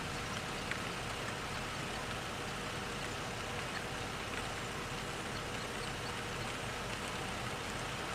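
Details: Steady broadband hiss like heavy rain on a surface continues throughout, with no distinct calls standing out.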